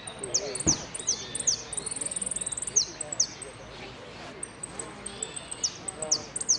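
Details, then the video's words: Competing saffron finch at a Merlo singing contest, 3 December 2017, 'sin cierre' style: bright, high descending chirps in irregular bursts, a short rapid trill, and soft voices in the background. "amarillo sin cierre"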